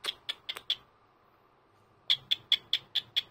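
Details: Senior pet cockatiel indoors on a Sunday morning greeting: quick bursts of sharp, high chirps, four or five at a time, a second of quiet between bursts, repeated at a brisk steady pace.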